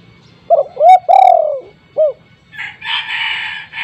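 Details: Lure call of a spotted dove at home, meant to set quiet doves calling: one phrase of a brief note, a rising coo, a drawn-out descending coo and a short end note, followed by a burst of broad rustling noise.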